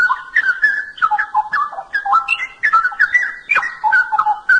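A straw-headed bulbul pours out a loud, rich, bubbling song of fluty whistled phrases that jump up and down in pitch, almost without pause.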